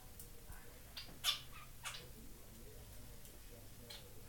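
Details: Two caged Society finches, a white fawn pied male and a white chocolate pied female, in their new flight cage; short buzzy chirps come scattered at irregular gaps over a low indoor hum.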